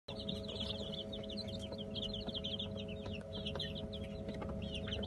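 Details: Fifteen-day-old Light Brahma chicks, a group, peeping constantly with high, short, rising and falling cheeps that overlap in a busy chorus over a steady low mechanical hum.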